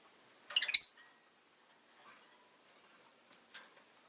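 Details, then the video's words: Pet rosy-faced lovebird giving a single stuttering, raspy squawk, with faint scattered sounds afterwards. "Lovebird Chirping Sounds"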